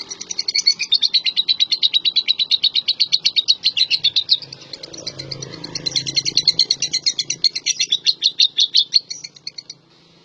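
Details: Champion contest lovebird singing a long, fast, buzzy chattering trill of rapid high pulses, about three per second, running unbroken for nearly ten seconds.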